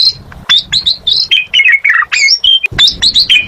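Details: Asian pied starling (jalak suren) pouring out a dense, rapid song of bright whistles, slurred downward notes and harsh squawky phrases, nearly continuous, with short breaks.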